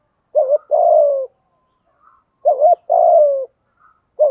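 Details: Spotted dove stimulating call, the 'thúc gù' coo: repeated phrases of a short wobbling double note followed by a longer, smooth, downward-drifting coo, a third phrase beginning at the end, with faint higher notes between.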